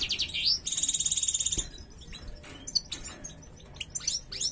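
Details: Female European goldfinch in breeding condition showing her cruaca: a rising twittered note, then a quick run of even, high repeated chirps lasting about a second, followed by scattered faint twitters and clicks.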